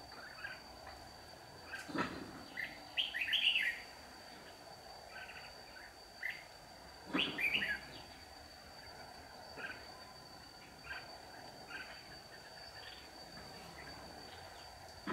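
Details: Red-whiskered bulbul, a white-cheeked decoy bird used in trapping on 15 July 2019, singing to lure other birds into a trap: short warbled, bubbly phrases near 3 seconds and again near 7 seconds, with fainter chirps from other birds and a steady background hiss.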